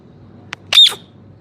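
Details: Parrot letting out one short, loud, rasping squawk with a whistled tone inside it, after a faint click, with a quiet background.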